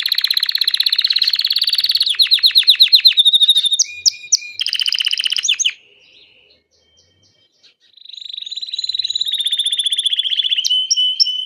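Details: Painted (variegated) Belgian canary singing: a bright, high-pitched melody of fast rolling trills and sharp repeated chips. The song breaks off into near silence for about two seconds, then resumes with more rapid trilling.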